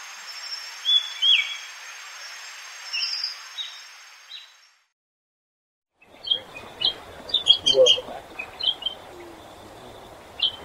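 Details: Common starling song: a varied run of whistles, clicks and short chattering notes in two bursts split by about a second of silence, over a faint steady hiss.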